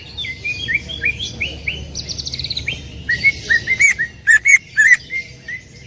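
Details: Greater green leafbird in loud song: a string of rising slurred whistles, a brief fast trill, then emphatic upswept whistles alternating with sharp clicking bursts, delivered steadily over soft background noise.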